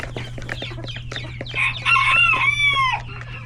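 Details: At lunchtime in a coop full of chickens, roosters and chicks, quick clucks and peeps lead into a loud, long, harmonic crowing call lasting about a second, then clucking resumes; a steady low hum underneath.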